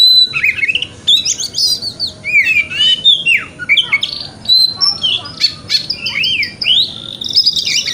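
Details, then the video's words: Oriental magpie-robin in wikplong singing style, used as a morning lure to get a kept bird to open its tail: loud, rich, varied whistles, slurred rising and falling notes and harsh squawky bursts in rapid succession. "Pancingan Kacer Wikplong - Cocok Untuk Terapi Kacer Di Pagi Hari Agar Buka Ekor"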